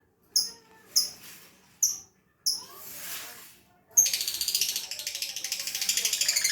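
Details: Lovebird on a long-duration training recording: sharp, high chirps spaced about half a second apart, a softer noisy squeal, then a dense, rapid, buzzy chatter of high notes running to the end.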